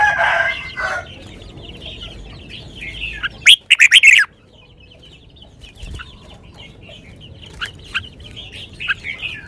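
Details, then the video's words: Red-whiskered bulbul, lak wai style song, described as sweet. A single emphatic phrase of four or five fast, liquid whistles rings out midway, surrounded by scattered quieter chirps of other birds. "นกกรงหัวจุก 626 จ้าวมาดี ลากหวาย หวานๆ"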